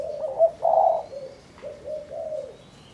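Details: Spotted dove from Cần Thơ, Vietnam, kept and trained as a decoy: one cooing phrase with a brief clipped note, a louder hoarse coo, then two softer drawn-out lower coos.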